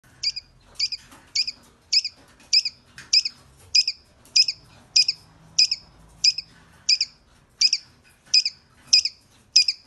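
A young rain quail gives a steady run of thin, high, sharp chirps, about one every half second, over a faint low hum.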